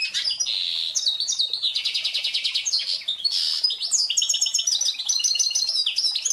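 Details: Pintagol, the hybrid of canary and goldfinch, in continuous song lasting over six seconds. Stretches of dry rattling trill alternate with clear whistled notes and fast liquid twittering.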